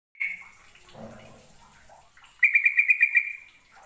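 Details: Caged sooty-headed bulbul (trucukan) in Indonesia, kept for song contests, in a recording featuring ngekek, nggaruda and ngerol song styles: a single clear note, a quiet pause, then a fast, rattling trill of about eight pulses near the end.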